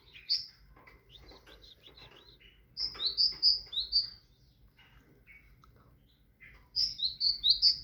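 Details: A tit sings in three bursts of high, clear two-note whistles. Each high note drops to a lower one, and the pairs repeat quickly. Softer twittering notes fill the gaps, with a faint low hum beneath.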